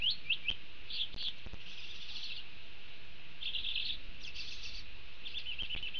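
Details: A male Thick-billed Euphonia (Euphonia laniirostris), a skilled mimic, sings at a Panama fruit feeder on 2 October 2019: bright, high chattering bursts of twittering and slightly buzzy notes with brief pauses, over a steady low rumble and clicks.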